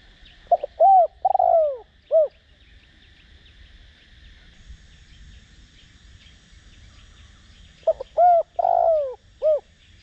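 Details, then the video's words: Decoy spotted dove cooing with a 'Đồng Rặc' voice to provoke rivals: two deep mellow phrases roughly seven seconds apart, each of four notes ending on a buzzy drawn-out fall and short arch, quiet insect and bird chatter between. "Cu gáy mồi cây kích bổi nhanh nổi/Cu gáy gáy gọi kích bổi nhanh gáy/Tiếng cu đất gáy giọng Đồng Rặc"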